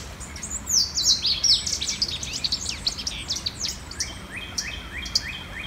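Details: A Louisiana Waterthrush, an early-spring migrant that nests at creek edges, sings at sunrise by a full-running creek in Monroe County, south-central Indiana: loud, high, down-slurred whistles breaking into a jumbled twitter, then repeated thin notes.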